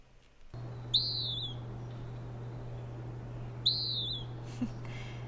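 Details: An adult male Western Wood-Pewee in August near Big Bear Lake, California, gives two burry, high, downslurred 'peeer' notes about three seconds apart, over a steady low hum.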